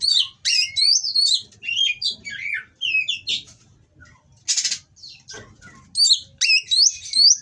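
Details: Oriental magpie-robin, a caged bird in breeding condition, singing coarse material meant to rile rival birds: bouts of sharp varied whistles and chips, a harsh burst midway, then more lively whistled phrases.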